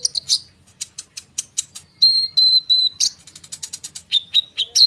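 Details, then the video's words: Konin bird singing a dense rolling song used as bait to make sunbirds respond. A steady string of high, sharp chirps is broken by clear, repeated level whistles, then more rapid piercing notes. "konin gacor ngerol suara rapat untuk pancingan kolibri bahan cepat respon"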